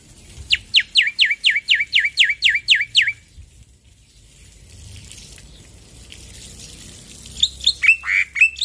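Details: Male black-winged myna, endemic to Indonesia, giving a loud series of about a dozen sharply down-slurred notes, evenly spaced. Quiet follows, then a few scattered higher whistles near the end.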